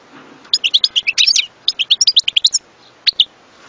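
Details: European goldfinch song: a fast, liquid twittering run of bright chirps and trills lasting about two seconds, followed by a short pause and two final sharp notes.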